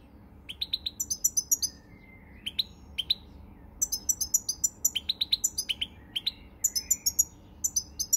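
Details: European goldfinch singing on 20 March 2020, a lively run of high, tinkling twitters in quick clusters of three to five notes, broken by short pauses, with soft thin whistles between phrases.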